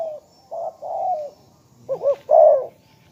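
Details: Spotted dove giving low, hollow coos. Several short and drawn-out notes come in an uneven run, ending with a quick double note and then a longer, louder rolling coo.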